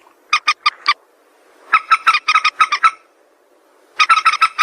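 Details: White-breasted waterhen call used as a trapping lure: three rapid bursts of five to eight harsh, croaking notes each, separated by pauses of about a second.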